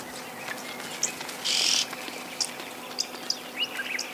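Red-billed oxpecker giving a harsh, drawn-out hiss of under half a second, among brief high thin chirps and a few twittering notes.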